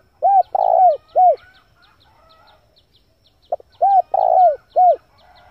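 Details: A male spotted dove, used as a lure for wild doves, repeats a three-part cooing phrase twice, about three seconds apart: a short note, a rough drawn-out coo, then a falling coo. Faint high chirps of another bird sound in the background.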